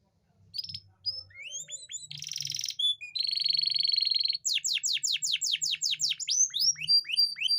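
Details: Canary song used to stimulate hard-to-breed female canaries into mating readiness; rapid varied phrases: rising whistles, a buzzy rattle, a long steady trill, then a fast series of descending sweeping notes.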